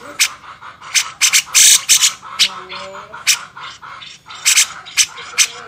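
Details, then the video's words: Grey-cheeked bulbul in a master for songbird training: continuous irregular scratchy chatter, loud rasping notes coming two or three per second with one longer grating burst, faint higher chirps in between. "masteran burung cucak jenggot"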